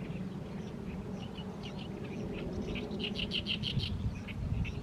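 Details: An Oriental reed warbler sings persistently in the evening sun above a mid-May fallow field: scattered grating notes build into a fast run of five or six loud, repeated harsh syllables, with low rumbling behind.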